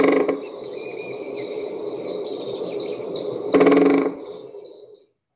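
A Great Spotted Woodpecker gives a brief, rapid drum roll of about half a second, marking its territory, over a murmur of distant songbirds.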